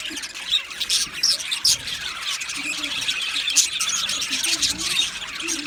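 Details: Aviary colony of male budgerigars, 8 December 2025: many birds chirp at once in a busy wash of high twittering, with sharper squeaky notes standing out now and then.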